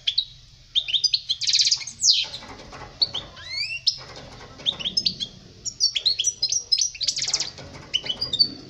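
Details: Goldfinch singing as a tutor recording for young birds, lively high-pitched twitters, sliding whistled notes and a dense buzzy trill, delivered in bursts separated by short gaps over a low background hum.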